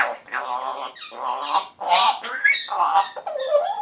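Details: Pet African grey parrot, age one, talking in a scratchy voice: continuous voiced speech-like syllables with gliding tones and harsh edges, run together over several seconds.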